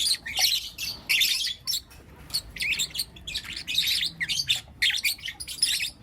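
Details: Four young lutino lovebirds chattering in the morning, giving bright, squeaky chirps in quick irregular bursts, almost continuous with brief gaps.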